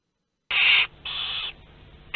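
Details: Western barn owls in a nest box at Théding, France, on 22 August 2021, during the hatching of chicks two to six of a second brood of ten. Two harsh, breathy hisses, each under half a second, separated by a short pause; a third begins at the end.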